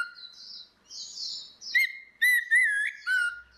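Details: Orange-headed thrush, female and male, singing in the loud open ngeplong style, used as a lure to get a silent bird singing: long pure whistles that give way to bright ringing notes with strong overtones, clean background.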